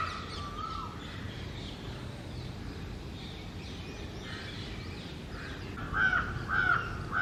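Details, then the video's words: A male Indian peafowl holding territory on a house roof in mating season, calling mornings and evenings to attract females, gives loud, nasal, wailing calls: a brief one at the start and two stronger ones near the end, over a constant low rumble. "A Peacock Making a loud Noises in Mating Season | Peafowl Call | Peacock Sounds"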